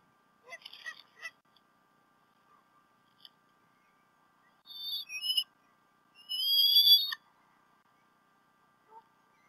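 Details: Bald eagles, both adults at the Decorah North nest, on 28 February 2016 in late morning to early afternoon, when the male brought a fish to the female: bursts of thin, high chattering notes, then longer squealing phrases with rising pitch, with quiet between.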